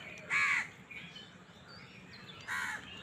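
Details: Crow fighting for food: two rasping caws about two seconds apart over a steady background hiss.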